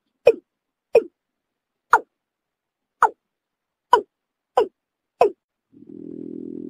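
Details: Watercock call played to attract birds for hunting; seven short, deep, knocking notes with a falling tone, irregularly spaced, followed by a low continuous droning hum that runs to the end.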